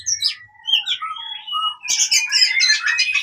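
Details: Fighting song of an oriental magpie-robin, used for training non-singing birds: slurred whistles gliding up and down, followed by a loud, rapid buzzy and chattering stretch.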